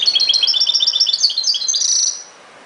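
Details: European goldfinch singing a ghoroub-style phrase, a rapid series of clear, repeated high chirps that builds into a denser, slightly buzzy trill before fading out.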